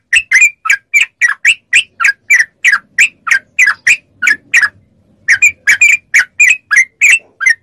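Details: Yellow-vented bulbul, training recording played to make captive bulbuls answer: rapid series of short, bright chirps with harmonics, about three per second and irregular, a brief pause near the middle, then the chattering resumes.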